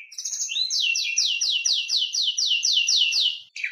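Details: White-rumped shama song used as a master track to provoke other shamas into singing: a rapid series of about ten rising, buzzy, repeated notes high in pitch, roughly three per second, ending in a short lower phrase.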